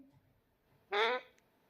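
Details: Pet Indian ringneck parakeet talking indoors: one short nasal, harmonic-rich syllable lasting about a third of a second, after a quiet pause, in an otherwise still room.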